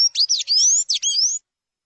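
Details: Sayaca tanager singing a quick run of thin, squeaky notes, several sweeping upward and others sharply chirped, packed into about one and a half seconds before silence.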